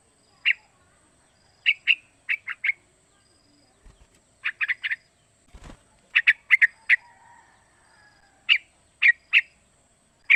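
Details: Three-month-old sooty-headed bulbul calling so that other young bulbuls learn and sing: clipped chirps in clusters of two to four, a faint drawn note and a couple of knocks between.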